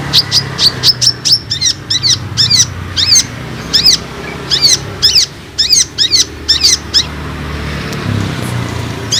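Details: Olive-backed sunbird lure call, used to draw untrained and flocking sunbirds and make them sing actively: sharp, high, descending chips in quick bursts of two to four, repeated steadily for nine seconds over faint low rumble.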